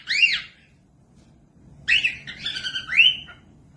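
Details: Cockatiel singing for teaching other birds: one arched whistled note, a second of quiet, then a run of harmonic chirps closing with a bright rising-then-level whistle.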